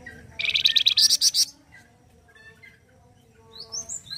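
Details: Loud 'gacor kasar' song of a flamboyan bird, used as a training master: a burst of rapid, harsh high notes lasting about a second, then quiet, then a few thin rising whistles.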